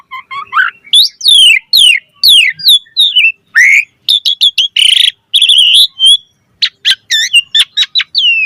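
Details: Lure song of an Asian pied starling, 'gacor' style with rich 'isian' phrases: rapid descending whistled slurs, then buzzy trilled notes and sharp chips, closing with quick clicks and short whistles.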